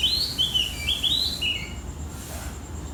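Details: Oriental magpie-robin singing in the early morning, between about 4 and 5 a.m.: a quick run of clear, sweet whistled phrases that slide up and down, bunched in the first second and a half, then fading into a low steady background hum.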